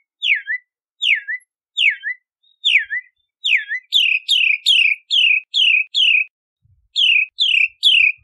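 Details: Bahama mockingbird repeating one clear downslurred whistle about every 0.7 seconds five times, then switching to a quicker series of sharper whistled notes repeated in a steady rhythm.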